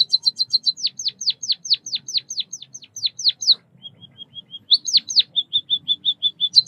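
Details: White-headed munia (Lonchura maja), known locally as bondol kaji, a Southeast Asian songbird: rapid series of high, sharply falling chirps, then a brief run of soft even notes, and fresh bursts of quick chirps and twitters.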